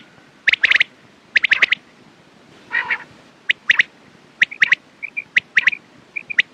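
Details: Quail calling in clusters of crisp clicky notes, one harsh rasp in the middle, then scattered sharp calls mixed with soft paired whistled pips.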